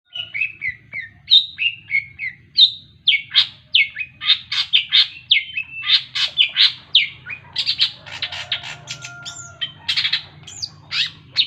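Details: Cendet, a long-tailed shrike, in full varied song: a continuous stream of harsh squawky notes mixed with sweeter whistled phrases and rapid chattering, loud and close, with a faint low hum underneath.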